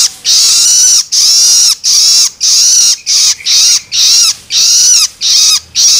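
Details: Young long-tailed shrike begging, a sound meant to rouse adult birds: around ten loud, scratchy squeals with falling slurs, repeated steadily with short pauses between them.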